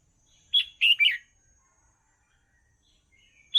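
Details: Song of a red-whiskered bulbul played for young birds to learn, a clear three-note warbling phrase, bright and slurred, followed by silence and the start of another note.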